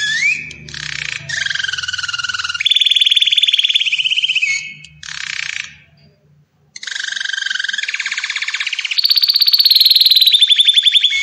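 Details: Belgian canary song of buzzy descending rolls and steady whistled tones, a short pause, then rapid pulsed trills climbing to a higher, shrill rattling series, with soft low rumble in the background.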